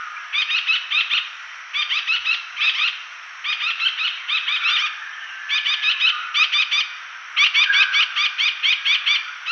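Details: Layard's parakeet (Psittacula calthrapae), a resident endemic breeder of Sri Lanka, gives harsh, grating notes in quick bursts of three to six, repeated almost without pause, over faint background hiss.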